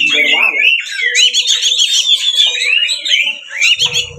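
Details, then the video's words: Oriental magpie-robin (kacer) giving a 'ngeplong tarung' fighting song, used as a lure to provoke other magpie-robins into singing and spreading their tails; fast, unbroken run of high whistled and twittering phrases over a faint steady hum, with a brief low harmonic sound at the start. "SUARA BURUNG kacer gacor NGEPLONG TARUNG ini sangat AMPUH untuk PANCINGAN kacer agar buka ekor"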